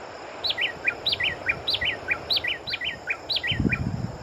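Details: Brazilian long-billed wren delivering loud, rhythmic triplets of bright descending whistles, the three-note phrase repeated six times at an even pace, with a brief low rumble near the end.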